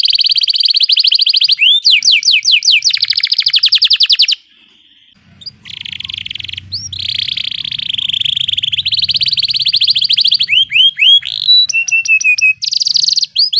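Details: Canary rolling song (ngeroll) as tutor audio: rapid trills, a brief steady tone and silence, then long buzzy rolls over a faint low rumble, ending with sharp varied whistles and chirps.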